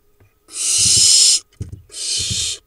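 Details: Barn owl nestlings in a monitored nest box in Israel's Hula Valley, from a brood of five hatched in June; two long harsh hissing screeches, each about a second, separated by soft low shuffling sounds.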